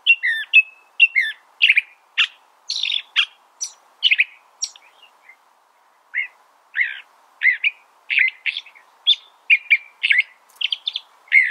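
California Thrasher singing a long, varied run of harsh and whistled phrases, some repeated, delivered steadily with one brief pause.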